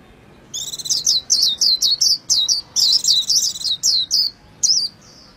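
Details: Japanese white-eye singing: a rapid string of high, sweet chirping notes, each sliding downward, delivered in bursts with short gaps and a final brief flourish.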